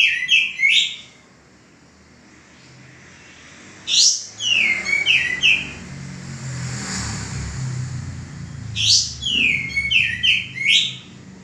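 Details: Caged male common iora, heard as a training song for cage birds, gives three spaced phrases of quick, bright, falling notes, each opening with a sharp high burst. A vehicle passes during the quiet gap between phrases.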